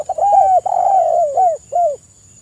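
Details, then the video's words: Tekukur, the spotted dove, giving a lure song: a run of mellow coos, a short note, then long sliding, drooping coos and two brief falling notes, over a low steady hum. "TEKUKUR GACOR suara merdu - PANCINGAN NO.1 (PERCEPAT BUNYI) 💯% LANGSUNG NYAUT"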